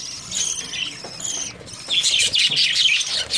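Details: Breeding budgerigars, early summer: softer scattered chirps give way after about two seconds to a loud, rapid burst of overlapping shrill chatter and squawks from several birds.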